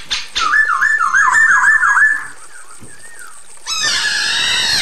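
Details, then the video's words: Female Chinese hwamei calling the male: a fast series of looping whistled notes, repeated about three times a second for nearly two seconds. After a quiet gap, a loud noise cuts in. "SUARA POKSAY HONGKONG BETINA GACOR MEMANGGIL JANTAN"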